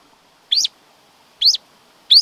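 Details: Black-throated grosbeak giving three separate short notes, each a quick upward sweep ending in a slurred drop, spaced about a second apart, in a quiet background.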